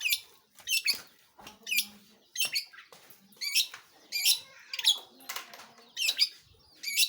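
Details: Long-tailed shrike, called cendet or pentet, singing energetically with harsh, scratchy high bursts and short chirps repeated about once a second, some faint softer notes between them.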